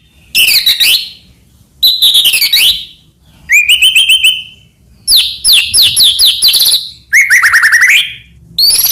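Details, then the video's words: Master song of a white-rumped shama for training other shamas: separate loud phrases of harsh buzzy bursts, a clear rising whistle, a rapid series of rising notes and a falling slurred trill, with short gaps between them. "burung murai cocok untuk masteran gacor isian banyak"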